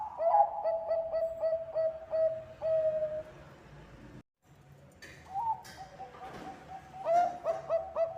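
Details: Lure song of a Bangkok zebra dove: a rapid string of bouncing coos slowing into one long note, a sudden short dropout, then a rising coo and another quick burst of notes.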